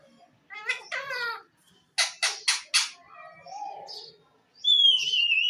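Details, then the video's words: Talking parrot producing speech-like harmonic phrases, then four sharp rapid squawks, some low murmuring, and a loud steady whistle that slides slightly downward at the end, recorded indoors. "Amazing Talking parrot funny sounds,parrot bird calling"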